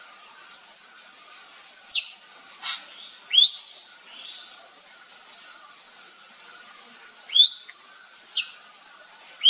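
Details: Wild Javan fulvetta in its forest habitat giving thin, high downslurred notes, spaced irregularly a second or more apart, over a faint steady background drone.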